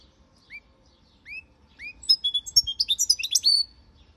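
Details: Goldfinch song beginning with three separate rising, whistled call notes spaced almost a second apart, then bursting into a rapid jumble of high twittering and buzzy notes.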